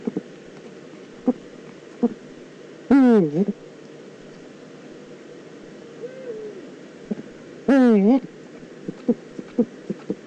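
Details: Eurasian eagle-owl in the Eifel, recorded on 9 September 2014: two loud, harsh, rasping calls about five seconds apart, each swooping down and back up with strong overtones, with scattered short clicks and taps between them.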